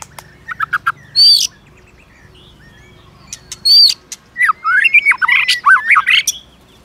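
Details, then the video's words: Fighting song of a White-rumped shama given to incite rivals: sharp clicks, loud high whistled slurs, then a rapid tumbling run of varied chattering notes toward the end. "Chòe lửa kích lửa CỰC HAY-NHIỀU GIỌNG ,tạch liên tục đập đuôi kích chòe lửa lên lửa hót đấu."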